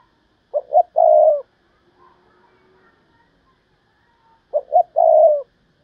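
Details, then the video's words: Spotted dove used as a decoy, cooing in thúc bổi fashion to draw in wild doves. Two phrases about four seconds apart, each a pair of quick coos then a longer steady one. "tiếng cu mồi thúc bổi, cu gáy mồi cây"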